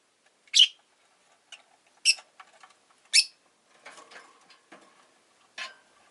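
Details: Pet Rosy-faced lovebird (Agapornis roseicollis) giving harsh, piercing chirps, one about every one to one and a half seconds, each a short bright burst, with softer scratchy notes in between.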